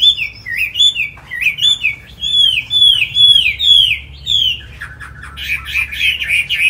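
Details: Captive tame Chinese hwamei, Hanoi, Vietnam: bright, slurred whistled notes repeated in rapid looping series, with brief pauses between bursts, ending in a busier, scratchier warble.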